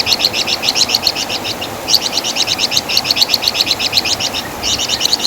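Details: Flamboyan bird (Wergan Jawa) used as master song material for training songbirds, giving near-continuous strings of quick, shrill, rattling notes with a few brief gaps, all in a high register.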